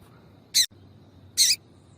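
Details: Female double-collared seedeater of the piadeira type calling to stimulate males: two short, sharp, high, hissy chips about a second apart against a quiet background.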